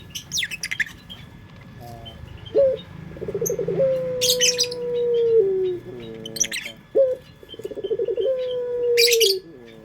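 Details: Prized pelung song of a local Indonesian dove used as a lure. Short stuttering coos build into long, level, hollow notes that drop at the end, twice over. Loud bursts of high chirping from other birds punctuate the singing.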